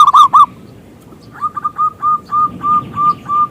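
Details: Zebra dove from Indonesia, a lure bird for prompting other doves to sing: three loud hooked coos, then a softer even series of about eight clipped cooing notes repeated roughly three per second.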